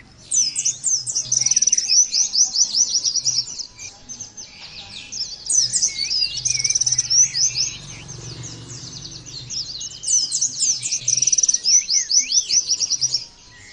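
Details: Long Oriental white-eye 'nembak' performance, intended for training other white-eyes to sing: three intense bursts of piercing, fast twitters and rattled trills, with short quieter lulls between them and a steady low hum.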